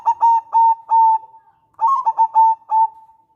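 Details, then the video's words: Local zebra dove (perkutut) in steady full voice, a recording used to prompt other doves to call and to lure them for trapping: two phrases of about five clipped, mellow coos each, with a short pause between, over a quiet background. "Perkutut lokal gacor NADA TERPADU suara MERDU ENAK DI DENGAR"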